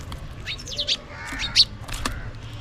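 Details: House sparrows calling for food while feeding; a handful of clear, sharp chirps, some sweeping downward, in a quiet setting.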